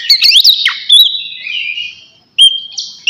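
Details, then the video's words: Oriental magpie-robin in 'ngeplong' rival-calling song, used as a lure: a few sharp, rapid slurred whistles, then a long fading whistled trail, silence, and a final loud clear whistled note. "suara kacer ngeplong manggil lawan sangat ampuh buat pancingan kacer bahan bikin cepat bunyi"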